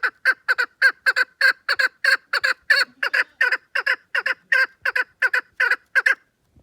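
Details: Chukar partridge giving a loud, rapid series of harsh clucking notes, about three per second, each note rich and buzzy, repeated steadily for the whole stretch with brief gaps between bursts; no other sounds stand out.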